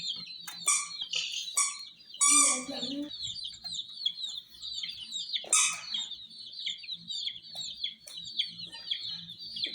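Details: Many hen chicks near miniature toy jeeps peep constantly in shrill, overlapping chirps, joined by sharp clicks and knocks and a brief low rumble.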